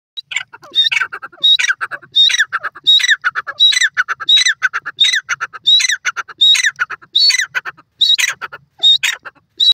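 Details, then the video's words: A francolin, called partridge or titur, repeats loud, harsh, shrill, rasping squawking notes at a steady pace, a little over one per second. "partridge bird sound,titur awaz"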